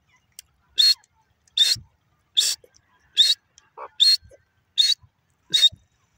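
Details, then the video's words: A grey francolin (Irani gora teetar) gives seven loud, harsh, shrill notes, one roughly every 0.8 seconds, with a few faint clicks between them. "gora teetar ki awaz"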